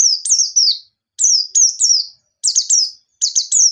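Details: White-eye in wild 'ngalas nembak' style, made to stir untrained white-eyes into song: dense, high whistled notes falling in pitch, delivered in tight clusters of two to three with brief breaks.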